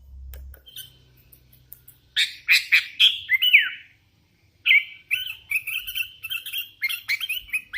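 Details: Energetic song from a hand-raised sooty-headed bulbul: a burst of rapid bright chirping whistles, a short pause, then a longer tumbling sequence of warbled notes.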